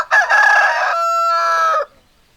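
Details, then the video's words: Rooster crowing, a single loud crow of about two seconds: a harsh, rough opening, then a long steady ringing note that slides down at the end before quiet returns. "Chicken Sounds Noises Hens Clucking Roosters Crowing"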